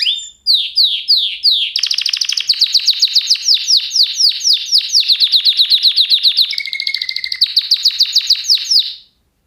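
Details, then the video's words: A canary sings a long, unbroken run of bright, high trills and quick down-slurred notes, rolling from one rapid phrase to the next, with a brief steady whistled note. "Kanarya sesi | Kanarya ötüşü | Canary Sound"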